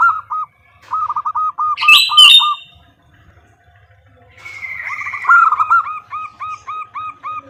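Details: A female zebra dove calls to the male with rapid, bowed, husky notes. A shrill burst interrupts early, and later a thinner, higher series of similar notes overlaps hers.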